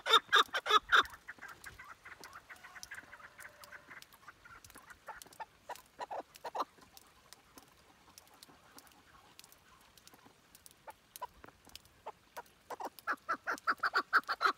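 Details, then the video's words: A chukar partridge gives loud, clucking chuck-chuck notes in quick bursts, loudest at the start and building again into a rapid series at the end. "کەو—کەوی دەنگ خۆش—keklik sesi —keklik chukar —kabk"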